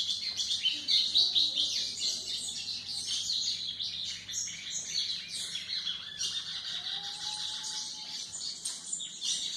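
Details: White-throated seedeater song used for training young birds: a long, continuous run of fast, high twittering and trilled notes with little pause between phrases.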